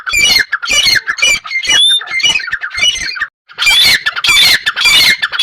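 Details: Partridge delivering hoarse squawking notes in fast bursts, a short silence, then a louder rush of harsh calls.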